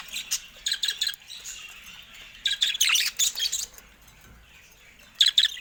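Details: Budgerigars in a cage around a camera: quick runs of high chirps in two clusters, with quiet gaps and faint tapping.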